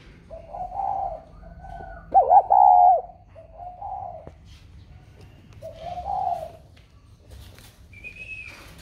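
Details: Spotted dove placed in a box after being sold, calling normally: a strong, hoarse, undulating coo phrase near the start, framed by softer low coos, then a faint brief higher whistle near the end.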